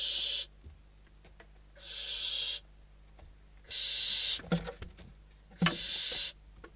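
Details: Hungry barn owl nestlings squabbling over a bird brought to their nest in Spain, December 2023. Four drawn-out hissing screeches, each under a second, with clicks and shuffling thumps after the later ones.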